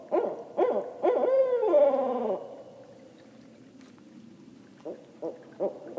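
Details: Barred owl calling in its ascending pattern: a few rapid short hoots rise to a drawn-out, wavering final note that falls away. Several softer hoots follow after a pause.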